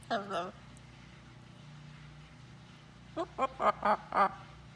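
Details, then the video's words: Blue-and-gold macaw on a farm, chatting with its owner: one spoken word at the start, then five short, clipped, harmonic quack-like utterances in quick succession near the end, over a steady low background hum. "Talking With My Friend The Macaw Parrot"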